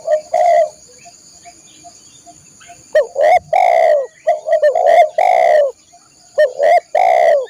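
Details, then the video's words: Spotted dove, recorded as song for training caged birds. An early coo pair is followed by a quiet stretch, then a long, lively sequence of loud coos, some stuttered and some drawn out. "masteran burung tekukur/derkuku"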